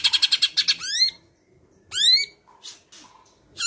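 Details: Cucak ijo, Medan type, in a training recording full of mimicked birdcalls, sparrows among them; a quick buzzy rattle, rising harmonic whistles, and scattered scratchy notes.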